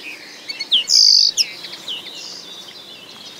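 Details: Common linnet song: a run of bright, high twittered notes and short upward and downward slurs, with one loud sustained buzzy note in the middle, over a quiet rural background.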